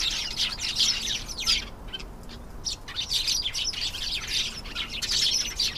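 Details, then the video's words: Canary singing two rushing bursts of high, rapid trills separated by a short pause, the second phrase long and rich with chirps. "canary singing. beautiful canary sounds"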